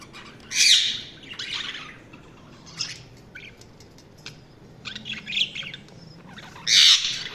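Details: Budgerigars chirping: scattered short bright chirps and squawks, a loud harsh burst near the start and another near the end, with softer twittering between and quiet gaps.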